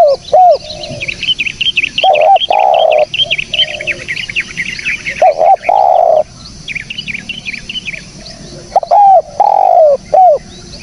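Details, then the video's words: Spotted dove calling as a trapping lure, with repeated phrases of deep hollow coos, some long and some clipped, among busy high-pitched chirping and twittering from other birds. "SUARA BURUNG TEKUKUR BERSIH JERNIH"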